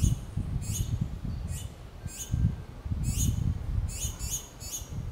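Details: Finch chicks begging their mother for food while she feeds them: a rapid series of short, high, sharply descending chirps, often in quick pairs or triplets, over low rumbling handling noise.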